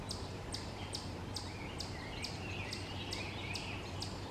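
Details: Hairy woodpecker nestling in a tree cavity, fed by an adult male and female, recorded from far away on 28 May 2023 in Forest County, Pennsylvania: sharp high chirps repeated steadily about every 0.4 seconds over a low rumble.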